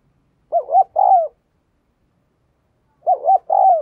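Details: Decoy spotted dove giving its urging coo: two identical phrases about two and a half seconds apart, each a pair of short wavering notes then a sustained falling coo, with silence between.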